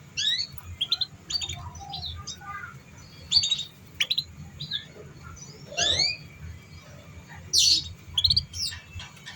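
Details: Young canaries still in training are meant to copy this song: rapid high chirps and short sweeping notes in loose bursts, one loud bright call near the end, a quiet steady hum below.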